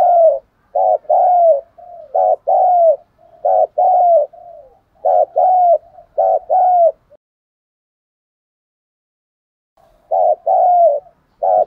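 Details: Decoy spotted dove calling in the thổ voice style to lure wild birds: loud, low coos in repeated groups of two or three about every second, a pause of several seconds, then more.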